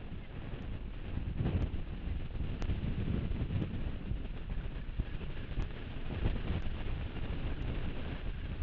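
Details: Heavy microphone wind buffeting with faint clicks about once a second; no animal voice is heard.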